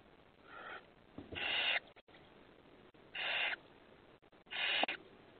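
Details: Hungry owlets, five young birds, recorded May 28, 2020: harsh hissing begging screeches in bursts of about half a second, three loud rasping calls with fainter ones between, over a quiet background hum.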